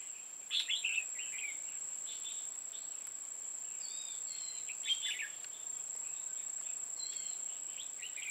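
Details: Red-whiskered bulbuls, a pair of female decoys used in trapping on 5 October 2018, give short chattering, warbled phrases in scattered bursts, some overlapping, over a steady high insect-like whine.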